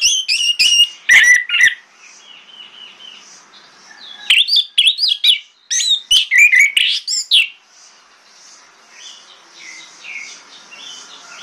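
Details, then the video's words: Orange-headed thrush singing in the morning as a lure so other thrushes answer: loud bursts of rapid, varied whistled and chattering notes alternate with quieter stretches of soft high distant calls. "PANCINGAN ANIS MERAH PAGI HARI|| ANIS MERAH LAIN AUTO NYAUT"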